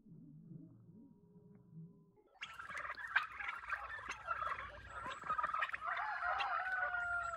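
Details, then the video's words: Homestead flock of heritage turkeys: about two seconds of low, slowed, whale-like moaning, then an abrupt switch to normal-speed turkey calls, busy overlapping gobbling and yelping with sharp clucks and a high drawn-out note near the end. "Slow motion makes these turkeys sound like they’re giving whale calls"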